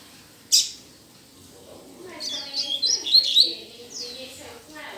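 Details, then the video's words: Caged Rusty-collared seedeater, a young bird learning its song, singing in a cage held in the hand: one sharp high note, then a pause and a run of quick high chirps and short whistled phrases, with faint talking underneath. "CANTANDO DE GAIOLA NA MÃO!!! MEU COLEIRO ABRINDO CANTO!!!"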